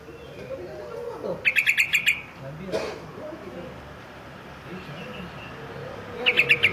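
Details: Sooty-headed bulbul calling against a rival, two short rapid bursts of five or six sharp chattering notes several seconds apart, over a steady background hiss.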